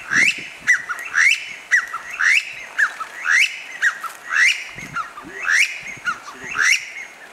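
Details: Repeated calls of a Chinese bamboo partridge: ringing, rising whistled notes in paired phrases, evenly spaced about a second apart, with some soft low background sounds.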